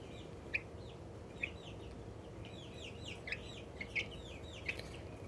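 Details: An excited little Australorp chicken giving happy sounds: scattered high, curved chirping notes with a few sharper peeps, over a low steady background hum.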